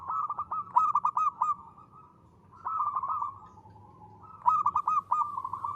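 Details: Zebra dove of a local strain, singing in the crisp 'ngristal' style favoured as a lure: three phrases, each a rapid run of short hooked notes followed by a rolling purr, pauses between.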